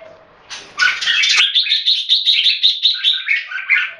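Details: Caged red-whiskered bulbul kept in Singapore, singing in a head-to-head competition between two birds; a bright, rapid warble of repeated liquid notes, pulsing about four times a second after a brief noisy start.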